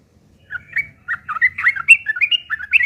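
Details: Sooty-headed bulbul in full, aggressive fighting song, played as a lure to provoke other birds into answering; rapid chattering string of harsh, bubbly, slurred notes, rising and falling, after a brief silence, with faint low rumble beneath.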